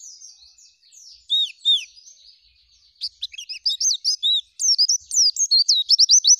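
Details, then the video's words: Oriental white-eye singing vigorously in a filled, shooting and rolling style: soft high twitter, two downslurred whistles, then from three seconds dense rapid chirps building to a fast rolling trill of repeated notes. "Pleci Gacor Full Isian Nembak Ngerol Zipper Istimewa ,Dor Dar"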